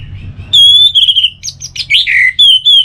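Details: Orange-headed thrush, a kept songbird in North Bali, Singaraja, Indonesia, singing a relaxed song: loud clear whistled notes, some long and level, mixed with quick varied chirps and slurred phrases, with a faint low hum beneath.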